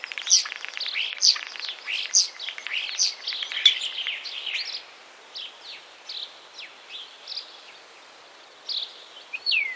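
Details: Common starling, Wittlich, 2017: busy, crowded chatter of clicks and squeaks at first, thinning to scattered short whistled notes, ending with a clear downward-sliding whistle, over low background noise.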